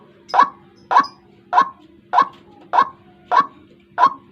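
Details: Trapping lure of a White-breasted waterhen for the morning: seven clipped, rasping croaks repeated at a steady beat of about 0.6 seconds, clean against a low electrical hum.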